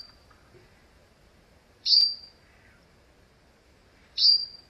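A Grey-headed Bulbul gives two sharp, high, clipped notes about two seconds apart over a quiet background.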